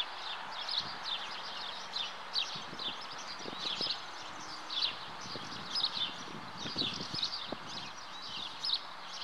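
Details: Nest of common house martins (Delichon urbicum): steady, pulsing high twitters repeat about twice per second, alongside scattered low taps and knocks.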